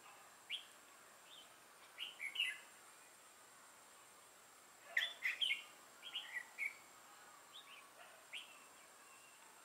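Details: Red-whiskered bulbul at a trapping site, 6 November 2018: scattered bright chirps and slurred whistled phrases spread across the recording, with a denser burst of notes midway and soft background hiss.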